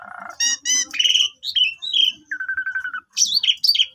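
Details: Asian pied starling singing a long song in a pumping style, used as a lure to stir silent, sulking or stressed birds into singing. Rapid varied phrases mix harmonic squawks, clear whistles, buzzy trills and a steady run of repeated notes.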